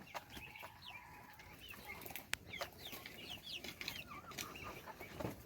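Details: A flock of chicks being fed keeps up busy, shrill peeping. Many short, falling chirps cross each other, with occasional clicks and a faint background hiss.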